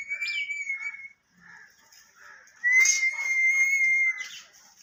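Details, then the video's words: Talking parrot giving long, steady, high whistled tones, one held about a second and another over a second and a half, with softer chattering in between, indoors and otherwise quiet. "Tota Boltay Huay Kesa Lag Raha Hai _Totay Ke Awaz"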